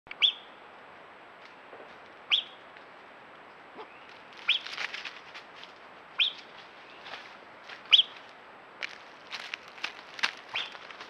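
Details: Great curassow pair at a small rock-hollow water pool in Calakmul Biosphere Reserve, Campeche, apparently alarmed, perhaps by an ocelot, gives thin, sharp high whistles about every two seconds, five in all, amid rustling and brief wingbeat-like bursts.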